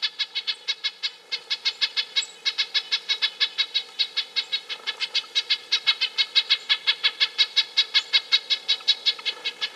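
A red-breasted nuthatch gives a fast, steady run of short, nasal, tin-horn notes, nearly three per second, with little else behind it.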